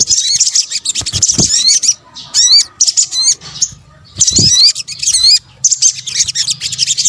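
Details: Indonesian sogok ontong (sunbird) calls mixed together as bird-luring sound. Shrill rapid chatter alternates with separate thin whistles that slur up and down. A couple of near-silent gaps break the run of bursts.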